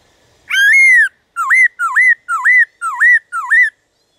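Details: Black-throated laughingthrush song, used to stimulate other birds to sing: one long, clear whistle, then six short hooked whistled notes that dip and rise, repeated about every half second, with a quiet background.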